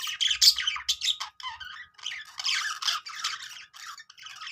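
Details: Cute budgerigars making happy sounds, a run of raspy squawks and chirpy notes in quick, uneven bursts, with a low hum early on.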